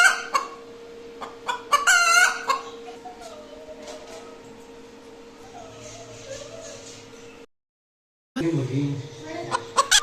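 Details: Hen making noise after laying an egg: loud harsh squawking cackles in quick bursts, then quieter drawn-out calls and a steady electrical hum, a brief silent gap, then more clucking.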